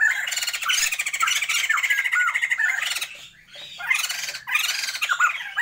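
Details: Continuous raucous laughing chorus from a captive pair of Sumatran white-crested laughingthrushes kept for breeding: dense raspy squawks with short slurred whistles, pausing briefly midway before resuming.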